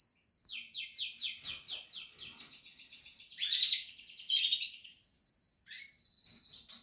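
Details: Portuguese harlequin canary during nest building, singing a rapid series of repeated descending sweeps forming a fast rattling trill, then sharper bright notes and a thinner sustained high tone.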